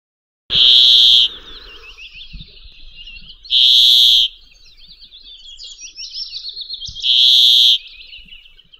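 A Brambling's song: a loud, flat, nasal buzz lasting under a second, repeated about every three seconds, with soft high twittering between.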